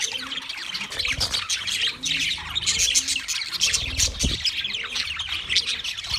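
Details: Chirping wild budgerigars, a loud unbroken chorus of high warbling twitters and chirps from many birds, with some low background sounds.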